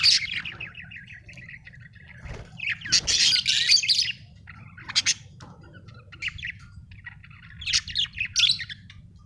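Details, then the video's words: Australian budgie chirping in loose bursts: a warbled chatter at the start, a loud buzzy run around three to four seconds, then scattered short chirps and a final chattering burst, low hum underneath. "budgie chirping sound"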